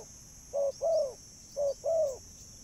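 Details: Two neat coo pairs from a spotted dove, used to attract birds. A short low note is followed by a longer, slightly arching note that fades downward. A faint high hum persists underneath.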